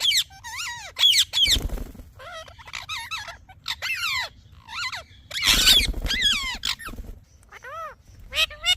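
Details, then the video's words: A talking parrot chirps in uneven bursts of bending, harmonic whistles and scratchy notes, with two louder noisy rustles mixed in and a low hum throughout. "Talking Parrot Chirping Sounds"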